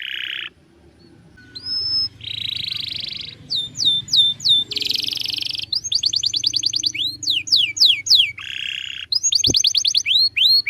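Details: Canary singing a master song meant for training birds: buzzy lower tours alternating with quick trills of rising and looping notes, several short phrase changes, and a sharp click near the end.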